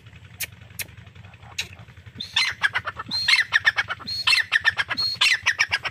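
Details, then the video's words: Grey francolin, called Irani teetar, calling: after a few faint clicks, loud harsh phrases begin, each opening with a high rising whistle and followed by rapid grating strokes, repeated about once a second. "Irani Teetar ki awaz || grey francolin Teetar Calling"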